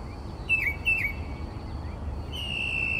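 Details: At 4 am in Texas a northern mockingbird sings by a bedroom window: two quick slurred down-notes, a pause, then a long steady whistled note, over low rumble and a constant faint hum.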